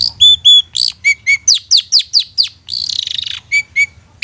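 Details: Used as a lure to get mute or lazy long-tailed shrikes singing: paired clear whistles, a descending series of quick rising notes, a buzzy rattle, then more whistled notes.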